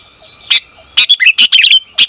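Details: Female sooty-headed bulbul calling the male: a single sharp chirp, a short pause, then a quick tumbling cluster of bright chirps and slurred notes.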